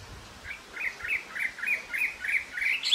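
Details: Taiwan hwamei from Jianshi Township, Hsinchu, Taiwan, recorded April 2024: softer, slightly distant series of short warbled whistles repeated steadily, about eight phrases, rising at the end.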